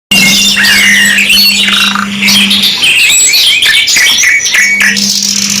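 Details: Canary singing in a '2 in 1' kenari mewah master recording: dense, bright high trills and twittering phrases overlapping almost continuously, with a steady low electrical hum running underneath.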